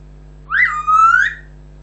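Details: A pet African grey parrot whistles a loud note that jumps up, dips, then holds a steady tone before rising slightly and fading, over a quiet continuous hum.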